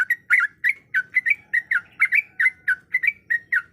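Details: Yellow-vented bulbul female in breeding condition calling a male: loud, slightly harsh bubbly notes with wavering pitch, given in quick succession, some paired. Faint low rumble behind.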